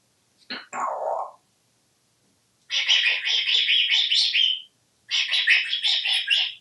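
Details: Talkative pet African grey parrot, hatched in 1997 and kept indoors at home in Texas, vocalizing during a live stream: a short voice-like utterance, then two long raspy, buzzy bursts of sound about two seconds each, in a quiet room.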